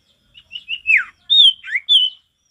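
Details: Male Mountain Tailorbird delivering lively forest-type song: soft introductory notes building into a descending slurred whistle, then a long clear high whistle, a dipping slur and another sustained whistle.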